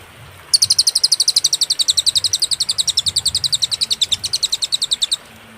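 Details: Cililin in a clear master recording with pauses for training songbirds: a single burst of quick, ringing high chips, about seven per second, lasting roughly four and a half seconds, then quiet.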